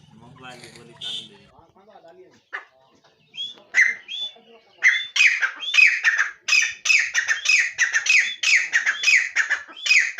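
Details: Good-breed titar partridge: speech and scattered chirps at first, then a loud run of harsh, rasping, rapidly repeated notes that build in intensity and continue to the end.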